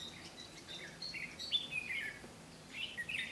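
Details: Red-whiskered bulbul recorded during trapping on 12 August 2016. Quick high chirped and warbled notes run together in a lively, slightly scratchy phrase, then pause briefly before another burst.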